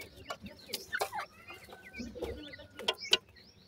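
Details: Captive francolin chicks while feeding: a crowd of short, high cheeping peeps, many overlapping, with sharp clicks and knocks from pecking, plus a faint steady hum.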